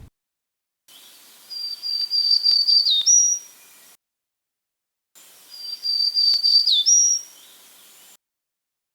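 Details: Black-throated Green Warbler (Setophaga virens) song, heard twice as a recorded example: a very high, buzzy run of wheezy notes that dips, then ends in a thin rising upslur, over faint background hiss.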